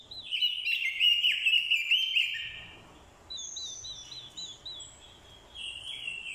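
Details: Fighting song from a captive orange-headed thrush used as a decoy, answering a female's call: a loud burst of fast warbling for two seconds, followed by quieter, thin high whistled phrases.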